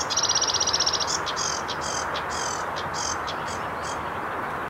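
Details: Sedge warbler (Acrocephalus schoenobaenus), song.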